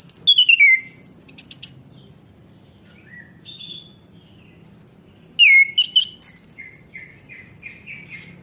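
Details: Orange-headed thrush song used to stimulate a bird that has stopped singing: loud bursts of descending whistles, buzzy high notes and short repeated chirps, separated by a quiet gap with faint soft warbling and low background hum.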